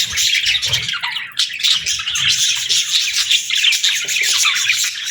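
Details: Budgies chirping together in a cheerful group: steady high warbling chatter with quick squeaky twitters and occasional harsher notes, dense and overlapping throughout.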